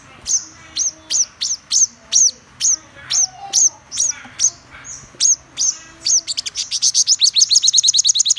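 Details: Black-throated sunbird repeating clear, sharp high notes about every half second, then breaking into a quick, accelerating trill of dense thin chirps.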